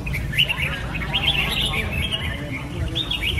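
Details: Red-whiskered bulbul (Pycnonotus jocosus) singing: dense run of short warbled and chirped notes, several overlapping, over a steady low rumble of background noise.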